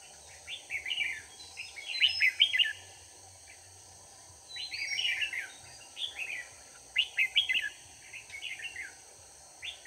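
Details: Red-whiskered bulbul used as a decoy while trapping wild bulbuls on 4 March 2019 sings short bubbly phrases of quick, chattering warbled notes, repeated in bursts every second or two over a constant high, thin ringing drone.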